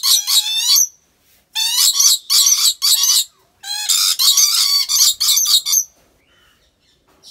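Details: Rainbow lorikeet kept at an animal park in Aceh Besar, Indonesia: rasping, buzzy shrieks strung into runs of rapid bursts, with a brief pause before each new run.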